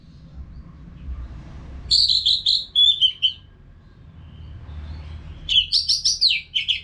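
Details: Training-sound song of a caged orange-headed thrush: two bursts of loud, high warbled whistles and quick stuttering notes, separated by a long quiet stretch with low background rumble.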